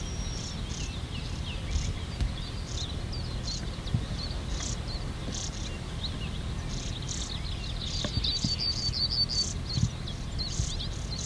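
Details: European stonechat fledglings being fed at NSG Ahsewiesen nature reserve, 30 May 2019 at 08:35; a busy stream of high, short chirps and thin notes, some overlapping, with a brief sustained whistle near the end, over steady low background rumble.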